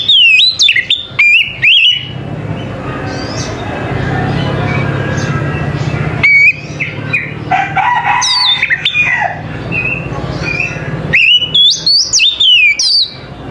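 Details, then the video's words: Oriental magpie-robin singing in the morning: loud, clear whistled phrases with sliding, rising and falling notes in quick bursts at the start and again near the end, separated by a stretch of steady low background noise. "TERAPI KACER PAGI HARI 100 PERSEN AMPUH KACER APAPUN AUTO NYAUT DAN IKUT GACOR"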